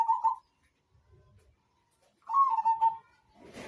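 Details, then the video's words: Zebra dove (perkutut, Majapahit type) singing for a training recording. A clipped trilled coo is followed by a longer rolling phrase that falls slightly, then a burst of broadband rustling noise. "Masteran Burung perkutut Majapahit"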